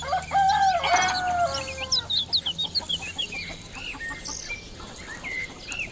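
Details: Village chickens: a long drawn fowl call opens, then a quick series of short clucks, roughly four per second, with small birds chirping in the background.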